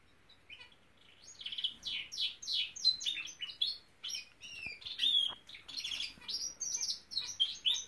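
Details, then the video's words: Norwich canary kept indoors, starting softly then building into a steady song of repeated high chirps and whistled notes in quick, even pulses. "the Nowrich Canary singing!"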